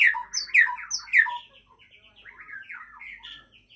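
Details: White-rumped shama of the Aceh type singing a fast string of varied whistled notes. Sharp high and low notes alternate in quick phrases, then give way to softer warbled notes that fade toward the end.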